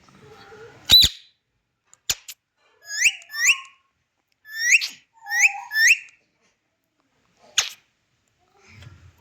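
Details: Indian ringneck parakeet, a talking green parrot, giving a series of loud rising whistled sweeps in pairs, with one sharp screech at the start and another near the end, separated by short silences.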